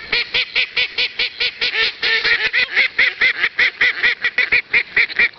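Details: Duck calling in a rapid, loud series of nasal quacks, slightly uneven at first, then settling into a steady pulse of about two calls per second.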